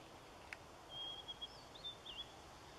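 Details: A white wagtail at Kasumi Park on 13 October 2013 gives a few thin, high chirps, short sharp notes spread over about a second and a half, against a soft outdoor hiss.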